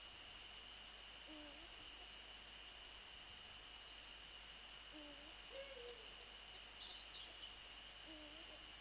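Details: Eurasian eagle-owls, male and female, calling on 28 February 2014 between 6:27 and 6:29 in the morning: three faint, low, slightly bending hoots spaced a few seconds apart over a steady high-pitched hiss.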